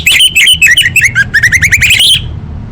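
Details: Female orange-headed thrush calling to males, used to prompt silent birds into singing: a rapid run of bright whistled notes, many slurring upward, packed closely over about two seconds, then quiet with a low background hum.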